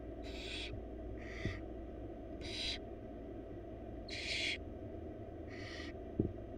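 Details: Wild barn owl chicks, four in a nest box, beg as their mother feeds them a rabbit; five raspy hissing calls at irregular intervals, a few soft knocks and a sharp click near the end.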